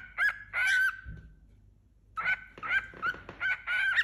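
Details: Pet cockatiel, a playful four-month-old male living indoors with a new companion bird, uttering grating, squeaky notes: two early calls, a pause, then a string of rough chirps, with steady background hum.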